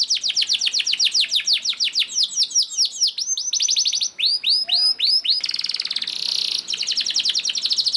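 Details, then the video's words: Canary song meant to make other canaries sing, rapid repeated curved chirps, then looping phrases, a brief buzzy roll and renewed fast trills. "PANCINGAN KENARI GACOR DOR NGEREK PANJANG INI AMPUH BIKIN KENARI LAIN BUNYI #88 || VOICE OF CANARY"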